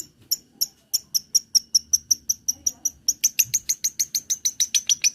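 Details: Long-tailed shrike song used as a lure to train other birds: a rapid run of about 27 sharp, bright high chips, evenly spaced, growing louder and quickening toward the end, with faint low rumble beneath.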